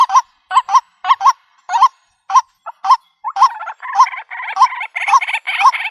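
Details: White-breasted waterhen call used to draw birds into a trap in the country: paired, hooked, croaking notes with pauses between them, then a continuous, harsher stretch of rapid notes.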